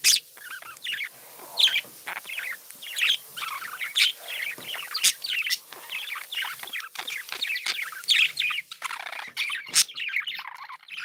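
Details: Cheerful pet budgies warbling together, a busy torrent of short high chirps and squeaky trills with brief sharp ticks, thinning slightly toward the end.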